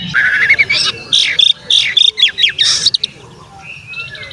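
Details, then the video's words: Oriental magpie-robin in full song, used to provoke other magpie-robins into agitation and tail-fanning: loud varied whistled phrases, rising slurs and sharp chattering notes in quick bursts, with a steady low hum beneath. "SUARA BURUNG KACER GACOR ngeplay santai MANGGIL kacer auto KONSLET buka ekor TERAPI KACER agar EMOSI"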